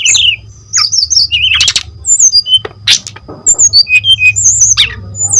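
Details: Energetic brown-chested jungle flycatcher song used as a lure for other birds: scattered sharp whistles and clipped chirps, ending in a quickly repeated series of short notes, over a faint low hum.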